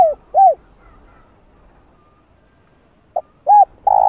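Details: Spotted dove calling to entice wild doves: two arched coos, a long quiet stretch, then a short note, an arched coo and a drawn-out harsh coo. No other sounds.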